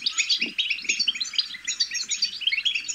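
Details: Goldfinch nestlings babbling, meant to spur goldfinches to sing: a thick stream of sharp, high, tinkling chirps, with one soft low thud early on.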